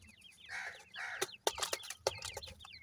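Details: Newly hatched grey francolin chicks in the new season give quick, thin chirps that step up and down, joined by short bursts of broadband scratching and tapping noise.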